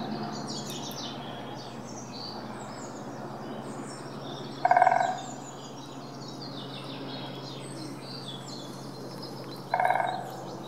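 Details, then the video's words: Dendrocopos major pinetorum, the great spotted woodpecker, calls twice about five seconds apart, each a short harsh pulsed burst, over a busy background of other small birds chirping and a low hum. "Vogelstimmen: Der Buntspecht - Great spotted woodpecker - Dendrocopos major pinetorum"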